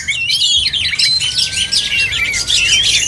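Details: Oriental magpie-robins in a songbird contest, dense overlapping song of sweet whistles, a long level whistled note, and rapid scratchy twitters, continuous and loud with a faint low hum.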